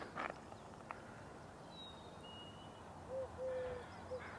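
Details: Eurasian collared dove in a tree at a British Columbia marsh, morning, giving a low, hollow three-part coo, short-long-short, near the end. A faint high whistle from another bird and a couple of brief knocks come earlier.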